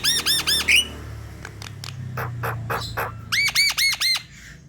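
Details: Lively Javan myna song meant to stimulate lazy birds to sing: four harsh arched notes, a stretch of dry clicks over a low hum, then another burst of four loud nasal arched calls.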